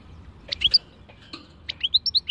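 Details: A European goldfinch sings khalwi-style song: a few scattered chirps, then a quick run of about six clear, high, slightly slurred notes rising and falling in steady rhythm.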